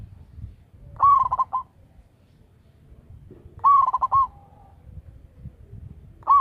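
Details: Loud local zebra dove used to lure others. Clear cooing phrases, each starting with an upswept note and breaking into a string of quick, bubbling pulses. A third phrase begins at the end. Quiet background.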